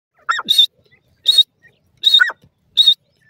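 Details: Grey francolin, the desi teetar of Sindh, calling: four short loud phrases about every 0.8 seconds, each a rising hooked note followed by a harsh, higher buzzy burst, with clean silence between.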